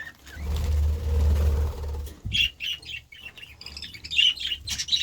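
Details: Budgerigars excited by vegetables: a low fluttering rumble first, then a lively run of sharp, warbling chirps repeated about four per second.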